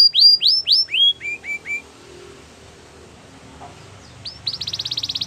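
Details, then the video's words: Belgian canary training song opening with loud falling whistles that drop in pitch, a pause with faint background hum, then a fast high rattling trill. "Canary singing for training | Belgian canary"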